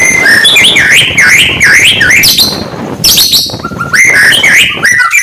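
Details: Murai batu, the oriental magpie-robin, singing in the morning to stir up rivals; repeated swooping whistled phrases in a quick rhythm, followed by sharper rising notes.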